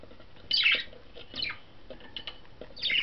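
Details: Five pet budgerigars out of their cage on 11.08.12, exploring on top of the cage with a toy barrel; short, scratchy chirps and chattering notes come in scattered bursts over faint room noise.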